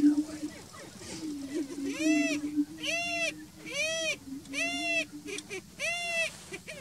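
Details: Greater prairie-chickens at the Bledsoe Ranch lek: a steady low moaning hum runs throughout, overlaid by five loud arched, cackling calls rich in harmonics, about one per second in the second half.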